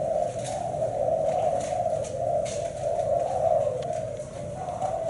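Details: Spotted dove of the Thai black-spotted strain in a seven-note cooing style, giving a steady, low, wavering coo that runs almost unbroken through the whole stretch, over a faint hum.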